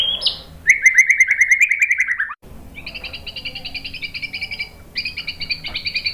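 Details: White-rumped shama training song: a quick rising whistle, a loud rattling trill falling slightly, then long runs of soft high two-toned pulsing notes.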